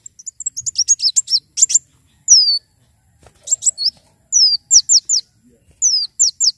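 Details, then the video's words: Energetic Javan sunbird song opening with a rapid chattering trill of high chirps, then spaced, thin slurred whistles in groups of two or three, clean background. "Kolibri wulung gacor"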